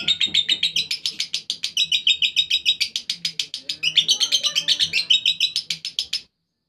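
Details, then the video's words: Lovebird ngekek song: fast, continuous, scratchy chattering repeated about three to four times per second for some six seconds, then stopping abruptly into silence. "Lovebird RAJA ngekek istimewa"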